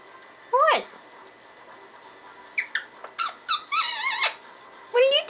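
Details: Pet parrot babbling gibberish indoors: a rising squeaky note, then a run of quick wavering chattering syllables with tonal warbles, ending in another squeaky rising phrase.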